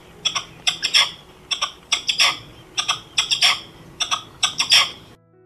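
A red-legged partridge gives harsh, chuffing two- and three-note phrases, repeated roughly every second in a steady rhythm, over a faint low hum.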